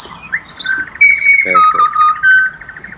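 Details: Pied butcherbird, Australia: a pure flute-like whistle held level, then a lower whistled note with two brief harsh squawks between, faint high notes above.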